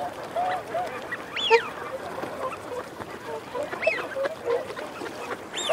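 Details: Wigeon flock, males whistling and females growling: several looping, arched whistles rising and falling, spaced a couple of seconds apart, with low rolling growls and chatter beneath.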